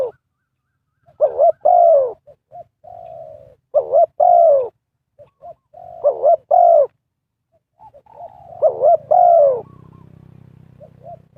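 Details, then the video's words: Spotted dove used as a decoy to lure wild birds in trapping. It gives repeated cooing phrases, each a soft low note followed by a loud, wavering two-part coo, about every two and a half seconds. Faint rustling is heard near the end. "Cara Pikat Tekukur memanggil Burung Liar,Bẫy cu gáy bằng mồi trồn"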